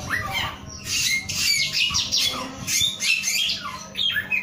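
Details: Male samyong (Asian glossy starling) singing energetically: busy bursts of high squeaky, scratchy notes and rapid downslurred whistles, loud and continuous with brief pauses, a steady low hum underneath.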